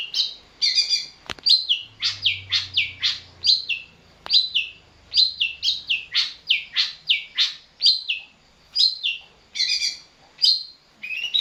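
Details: Long-tailed shrike provoked into singing by a lure sound, recorded in Tulungagung, Campurdarat: a rapid run of harsh, chattering notes around 2–6k, repeated closely for about eleven seconds, with a faint low hum briefly underneath.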